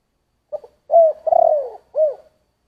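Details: One complete 'giọng thổ' phrase from a spotted dove: two quick clipped notes, a long hollow coo, a rolling falling coo, then a short rounded final note. Nothing else is audible.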